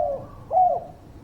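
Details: Spotted dove coos used as a lure recording for birds slow to sing: the tail of one falling coo, a brief gap, then a louder smooth level coo sliding down at its end.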